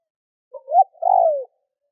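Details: Decoy spotted dove cooing to provoke wild doves: one phrase of two short soft notes, the second rising, then a long, smooth, falling coo, all low and mellow against a silent background.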